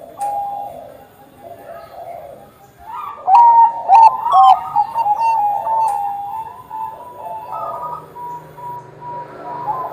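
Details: Actively singing zebra dove of the Bangkok type, played to encourage other doves to sing: a brief coo, a burst of quick bent notes in the middle, then a long, even tone trailing off.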